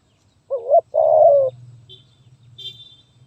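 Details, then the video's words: Spotted dove with a stuttering 'gagap tindan' song, 23 January 2022: a single mellow phrase of one short rising coo and then a longer, slightly falling coo, followed by soft background noise and a faint high chirp. "Burung Terkukur Gagap Tindan (Sepatah)"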